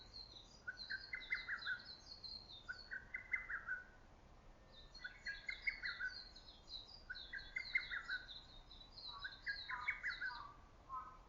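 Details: In early summer woods, a lesser cuckoo repeats its loud clipped phrase five times in eleven seconds. Its voice echoes through valley and forest, and high twittering from other birds overlaps.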